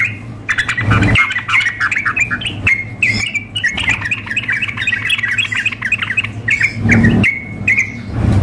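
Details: Sooty-headed bulbul in a contest simulation, a female calling the male alongside an agitated singer; long stretch of fast chattering notes with whistled notes at the start and end, low hum and knocks.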